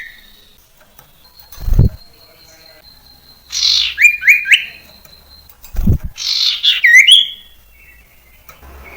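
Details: Common iora song played as a lure for training young birds: two bursts of quick rising whistled notes separated by a pause, with dull thumps and a faint steady high tone between phrases.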